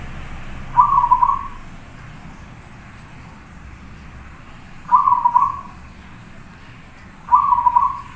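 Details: Zebra dove singing prolifically for a masteran tutor recording: three brief, stuttering, trilled coo phrases spaced two to four seconds apart, with a low rumbling background.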